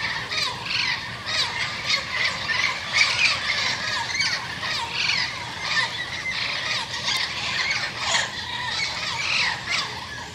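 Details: Turquoise-fronted amazons, a yearly visiting group led by a pair that reaches the garden first and calls the others; harsh, raspy squawks repeated in quick irregular bursts, overlapping as several birds call at once.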